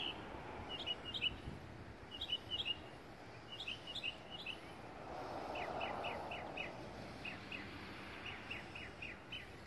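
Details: Whooping cranes migrating over Texas, calling in flight from a distance: faint, short, high notes repeated in quick groups of two or three, over a steady hiss of background noise.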